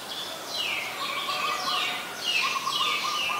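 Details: Adult Common Tailorbird, a common resident, at Ubon Ratchathani, Thailand, on 20 April 2022: loud downslurred notes dropping from high to mid pitch, repeated about every 0.7 seconds, over a steady lower tone and background birds.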